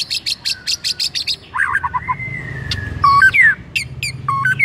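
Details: White-rumped shama singing as a trigger for a rival shama: a fast series of sharp clicks, then buzzy whistled notes and a long level whistle, followed by clear downslurred and bent whistles in quick succession.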